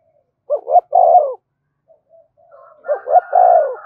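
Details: Spotted dove calling to stimulate fighting, two low, throaty cooing phrases, each a pair of short notes followed by a longer, drawn-out coo, separated by about a second of near silence.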